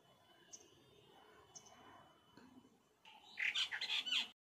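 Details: Brahminy starling in Maharashtra, India, gives a burst of harsh, chattering and squeaky notes over about a second, after two short high chips; a faint steady hum runs underneath.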